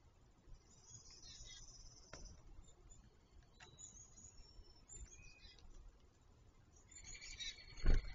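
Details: Grackle calling: thin, high squeaky notes early on, then a louder harsh, squealing burst of layered high tones near the end, over a steady low rumble with a few sharp clicks.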